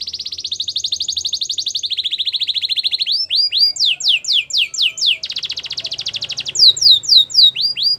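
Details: Canary song for training: long rapid rolling trills shifting in pitch, followed by repeated loud falling whistled swoops interleaved with another dense trill.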